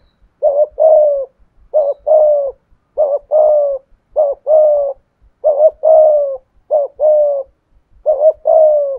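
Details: Spotted dove kept as a decoy, cooing in the 'thổ' style: eight evenly spaced pairs, each a clipped rising note followed by a longer falling-level coo, about one pair per second.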